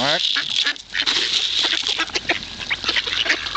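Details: A crowd of hungry ducks being fed at Kirchsee, Preetz, Germany, opening with a rising nasal note, then dense harsh quacks and chattering from many birds together.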